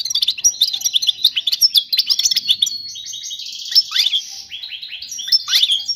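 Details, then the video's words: Teaching song of a European goldfinch meant for young birds: continuous tinkling twitter of quick chirps, trills and a short buzzy stretch, with sharp rising notes near the end. "تغريد الحسون الملكي خالي من الاخطاء لتعليم الفراخ"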